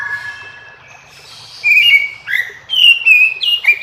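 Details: Oriental magpie-robin answering other magpie-robins in the morning: a soft low whistle at first, then loud, bright whistled notes that step up and down in quick succession.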